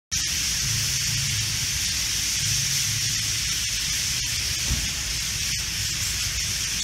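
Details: A large flock of white-cheeked starlings gathered in street trees on an evening in Kochi City, Japan; a continuous dense, hissing wall of overlapping high chatter with scattered sharp clicks, over a steady low rumble.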